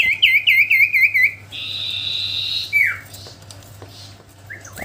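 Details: Common iora singing vigorously: a quick run of about six chirped notes, then a flat, slightly buzzy sustained whistle, a downward slur and a soft final note, over a low background hum.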